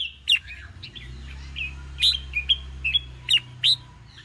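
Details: Red-whiskered bulbul singing to goad newly caught birds into contest song. Scattered crisp, whistled notes, several slurred upward, are spaced over a continuous low mechanical hum.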